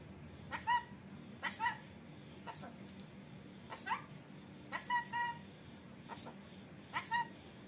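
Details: Indoors, a rainbow lorikeet talks in a string of short, crisp, speech-like syllables, roughly one every second, each a brief sharp burst ending in a steady tone, with faint room noise between.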